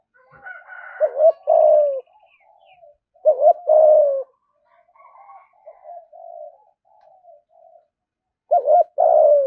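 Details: Spotted dove with a fine-voiced "thúc gù" coo, said to call fast and bring rivals in to fight: three wavering-then-long falling coo phrases, separated by soft, low murmuring notes.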